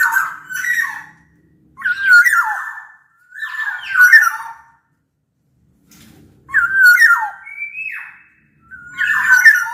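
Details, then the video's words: Sumbawa black-naped oriole, bigger than Bali or Java birds, singing loud mellow whistled phrases that slide downward with a rasping overtone, about four bursts spaced by silent gaps. "Kepodang Lokal Gacor Suara Buat Pancingan Burung Kepodang Agar Bunyi"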